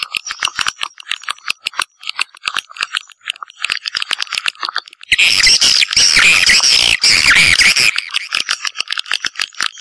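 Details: Swiftlets in a Sp M567 recording: rapid, fairly even ticking clicks for several seconds, then a loud burst of dense, harsh twittering, then clicking again.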